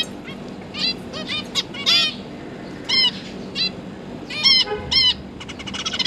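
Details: Newly fledged zebra finch juveniles with their parents during feeding, 31 October 2022; bursts of clipped nasal beeps, some doubled or in quick clusters, loud and bright, over a low droning hum.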